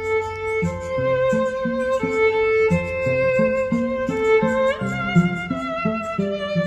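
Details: Bowed violin music plays a repeating melody over plucked lower notes, with no animal sounds.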